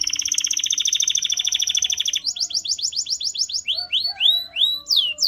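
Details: Canary sings a long, fast, evenly pulsed trill, then shifts to a series of rising slurred notes, finishing with louder, widely spaced sweeping whistles.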